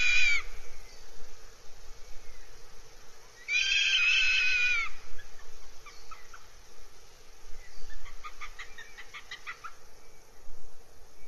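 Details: At a goshawk nest in Abernethy Forest, Scotland, on 3 July 2022, two short, harsh wailing cries are separated by a gap, followed by a quick series of faint clipped notes.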